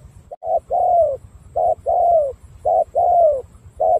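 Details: Spotted dove from Cà Mau giving three soft short-then-long coo pairs, the long notes hollow and gently descending, ending on a single short note, with low steady background noise.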